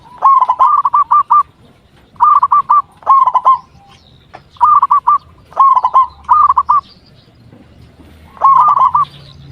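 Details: Local zebra dove singing actively, used as a lure to draw replies from other zebra doves: mid-pitched rolling coos in quick bursts of four or five notes, the phrases separated by short pauses, over a quiet background.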